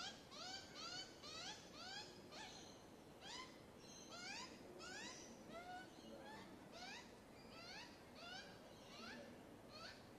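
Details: Young magpie begging for more food, giving repeated nasal, upward-sweeping wails roughly twice a second for ten seconds, uneven in spacing and strength, with faint low murmur beneath.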